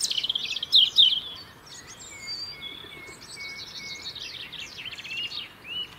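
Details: European robin in the UK singing to defend its winter territory: a loud shrill trill opens, followed by a string of thin, level whistles at even spacing and then fast buzzy twitters, over a quiet background.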